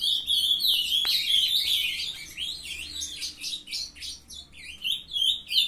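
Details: A captive-bred brood of young Ultramarine grosbeaks (Cyanoloxia brissonii) sings together at 7:21 am on 23 June 2020 as one young bird begins to sing: a busy, overlapping jumble of high, quick chirps and rambling warbles with no pauses.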